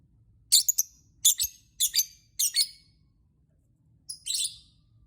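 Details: Lovebird chirping to prompt other lovebirds to sing: four rasping, high chirp bursts, some doubled, about every 0.6 seconds, then a pause and a longer buzzy screech.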